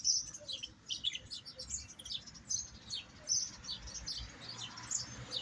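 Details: European goldfinch song made of sharp, very high chirps and tinkling notes in quick irregular bursts, with faint low noise beneath.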